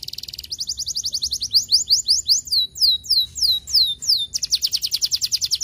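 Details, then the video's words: Canary song meant to stimulate lazy canaries to sing. It opens with a fast high trill, moves into a series of sweeping whistled slurs, then returns to a rapid rolling trill, clean and loud. "estimular muito rapidamente o som de canários preguiçosos"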